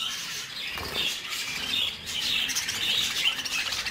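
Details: Three-month-old captive-bred young budgerigars chatter as a group: a dense, continuous wash of high, scratchy chirps and warbles overlapping without pause, with faint wing flutters.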